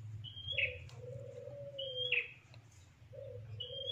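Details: Bar-winged prinia lure recording for trapping birds for breeding: short high whistle ending in a quick falling chip, repeated about every one and a half seconds, with a low drawn-out tone running beneath.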